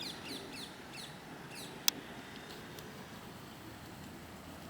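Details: Rose-ringed parakeet near a nest tree in breeding season; a quick run of short, sharp, downward-slurred calls in the first two seconds, then mostly quiet outdoor background with a couple of clicks.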